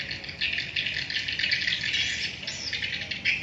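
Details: Colony of swiftlets in a swiftlet house producing a thick, rattling high chatter of countless overlapping chirps, steady throughout with a sharper squeak near the end.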